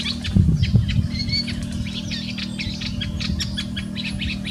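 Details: Rapid chattering song of a marsh warbler, a bird known for imitating other species: a dense run of varied high clicks, chips and short whistles over a steady low hum.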